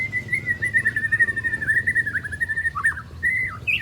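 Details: Three-month-old juvenile white-rumped shama practising song with imitated phrases and sharp shots: a long wavering whistle held on one pitch with quick flutters, ending in a short higher note.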